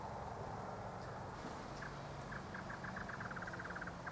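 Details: A White-eared Honeyeater, sipping sugar syrup from a drip-bottle lure in a native cypress tree, gives a quickening run of short, clipped mid-pitched notes, almost a chatter, over a steady low engine rumble.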